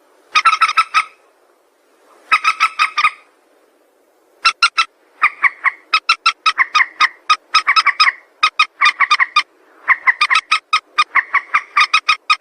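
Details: Long sequence of a white-breasted waterhen call used for trap luring: two early noisy bursts, then steady series of loud, clipped croaking notes, several per second, in rolling phrases.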